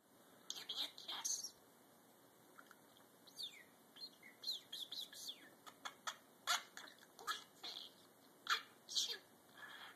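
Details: Pet parakeet, complaining during a South Florida cold snap, chatters in quick bursts of high, scratchy chirps and squeaky talk-like notes, saying "Give me a kiss", whistling, "Oy vay" and a sneeze, with short pauses between phrases.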